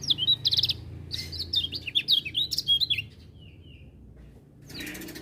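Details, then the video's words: Lemon-bellied white-eye singing busily as other birds chime in: bursts of rapid, high, warbling chirps and slurred notes, then a pause with faint thin whistles and a final short burst. "Kecial Kuning Gacor Dengar Suara Kecial Kuning Ini Burung Lain Pada Ikut Bunyi"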